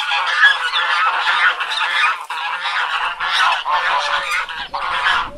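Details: Several domestic geese in a farmyard with chickens honk loudly and continuously, overlapping nasal, harsh calls in a dense, noisy chorus.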